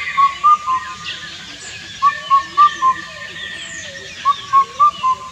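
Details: Indian cuckoo (Cuculus micropterus) calling its four hooting notes three times, each phrase crisp and evenly paced, separated by short pauses, with faint other birdsong behind.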